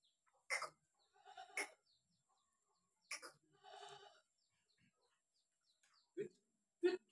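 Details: Javan myna song: harsh, raspy chattering bursts mixed with nasal, buzzy notes and a few low clucking sounds, delivered in irregular phrases with short pauses.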